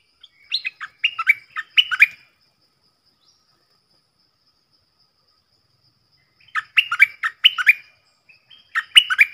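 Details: Recorded 31 July 2021, four decoy bulbuls give brisk, liquid, warbled phrases: one at the start, then two more after a long silence of about four seconds.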